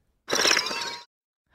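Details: A single dry, buzzy wing flutter under a second long, with a faint whistled ring sliding slightly downward, made by a flycatcher from either a migrating or a non-migrating subspecies, whose wing feathers differ in notching. No other sounds.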